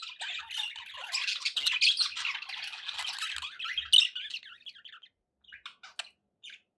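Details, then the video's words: Pet budgerigars warble in a dense scratchy stream for about four seconds, then the chatter thins to a handful of separate short chirps and squeaks with silent gaps between. "budgie sounds with background noise for relaxation"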